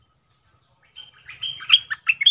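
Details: Bulbul used as a caged decoy bird gives a short song in doubled style: a soft high note, a pause, then a quick run of liquid warbled, slurred notes rising in loudness to the end.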